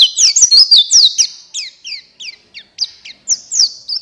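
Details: Buxtoni white-eye song, used to stimulate other white-eyes into singing: rapid high, thin chirps and twittering slurred notes in quick uneven bursts, loud and continuous at first, then spaced into short phrases.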